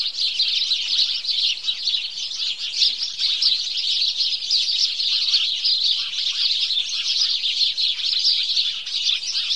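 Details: Morning chorus of many house sparrows: a dense, unbroken wall of overlapping high chirps and tweets from numerous birds, steady in loudness throughout, with no other clear sounds.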